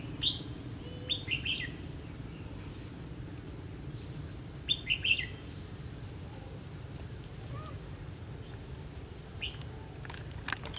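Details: Red-whiskered bulbul at a trapping site, 16 October 2016, gives quick clusters of sharp, high chirps early and midway, then scattered faint notes, against constant low rumbling background noise.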